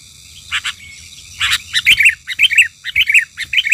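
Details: Wild sooty-headed bulbul, agitated during bird trapping, gives quick, bubbly, bright fluttering chirping phrases in short bursts nearly twice a second after a brief pause.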